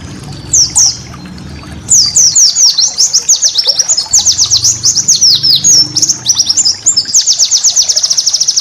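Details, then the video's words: White-eye master song for cage-bird training, opening with a few high downslurred whistles, then a lively stream of rapid chirps, slurs and a closing fast high trill, light low hum behind. "masteran burung pleci"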